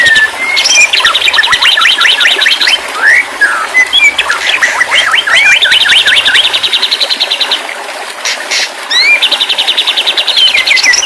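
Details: Stress-therapy audio of white-rumped shama song: rich phrases of whistles, down-slurred notes and fast, even trills in bursts several seconds long, separated by short pauses.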